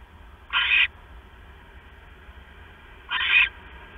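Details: Around 10:52 PM on 6 September 2015, the male owl brings a mouse to the female; two coarse screeches about two and a half seconds apart, each a brief breathy rasp over low hum.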